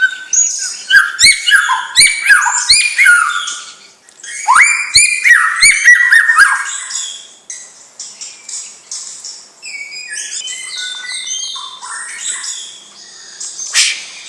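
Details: Young champion-line white-rumped shama pours out dense bursts of chattering, whistled and rising notes for several seconds. Softer, scattered high twitters follow after a short lull.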